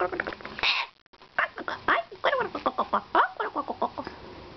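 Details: Bare-eyed cockatoo in its morning routine, playing and yelling: an opening harsh burst, a brief silence, then a quick series of short, ringing harmonic syllables repeated several times per second, with people talking in Spanish nearby.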